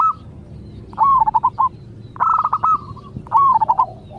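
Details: Zebra dove, a local bird, singing so others will answer. Three rapid rolling coo phrases about a second apart, each a burst of stuttered notes that drops slightly in pitch.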